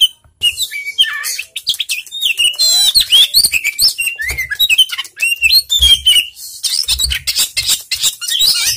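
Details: Oriental magpie-robin singing as a lure for a lazy bird: bright slurred whistles and quick chirps alternating with rasping trills, with faint low thumps in the background.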